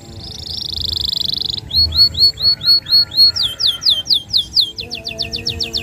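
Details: Energetic canary song with long trills, intended to stimulate young canaries: a steady buzzy roll, then a series of evenly spaced swooping whistles that speed up into quick descending notes near the end.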